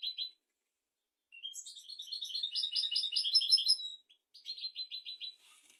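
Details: European goldfinch song for teaching goldfinches and canaries: an opening chirp, silence, then a rapid twittering trill of bright buzzy notes for over two seconds, followed by a quicker series of repeated chirps.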